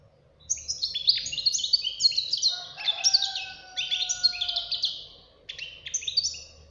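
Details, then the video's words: Young goldfinch delivering a strong continuous song of rapid chirps, jingling trills and buzzy notes, with a low drawn-out tone beneath the middle section and a short break near the end. "غناء فرخ طائر الحسون"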